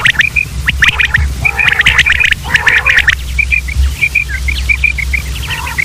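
Several common quail call together with quick, liquid clipped notes in high, rapid bursts, mixed with harsher squawks early on and a low steady hum.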